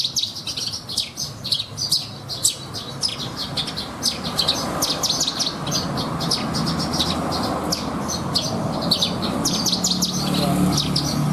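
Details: Contest-quality caged Horsfield's bush lark pouring out its 'isian' song: dense, rapid sequences of sharp, high chirps and ticking notes, set against a constant low hum and some background noise.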